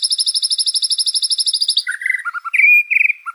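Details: Murai batu, or white-rumped shama, in clear competition-grade song for birds to learn from: a rapid, high trill of evenly repeated notes gives way to lower slurred whistles and short rising phrases.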